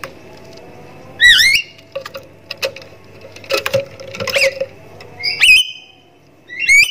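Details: A Javan myna recording used as a lure to make silent captive mynas call: harsh, squawky calls mixed with short wavering whistles, in bursts about every two seconds, with clicks and scraping sounds between.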